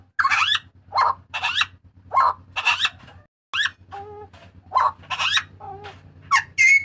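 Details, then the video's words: Papuan butcherbird loudly shrieking, used for tutoring and luring cage birds: high, strident, rising and falling notes in irregular bursts mixed with lower tonal calls, over a steady low hum. "TERIAKAN MAUT BURUNG JAGAL PAPUA UNTUK MASTERAN DAN PANCINGAN"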